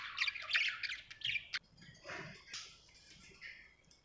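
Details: Happy budgerigar chirping: a burst of fast, scratchy warbled chirps in the first second and a half, then softer, scattered squeaky notes and a faint sustained whistle toward the end.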